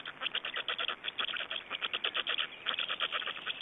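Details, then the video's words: Black storks at their Estonian nest, feeding time, 26 May 2012: a rapid, regular train of nasal, rasping notes delivered in short clusters without pause. "Estonian Black Storks - Feeding, change, feding"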